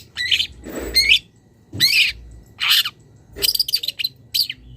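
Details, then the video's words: Young wild long-tailed shrike calling to a rival: a few drawn-out, hoarse rasping screeches mixed with bright twittering notes, roughly one burst per second. "CENDET MUDA PROSPEK | MULAI BONGKAR ISIAN - MASTERAN BURUNG LIAR"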